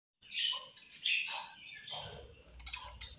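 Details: Budgerigars at feeding time while eating and fighting, giving dense high chirps and scratchy warbles in quick bursts, with a sharp squeak at the end.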